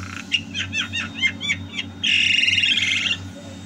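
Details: Javan myna singing, recorded at home in 2022: a quick run of sharp repeated chirps about four per second, then a loud harsh rasping burst lasting a second, over a low hum.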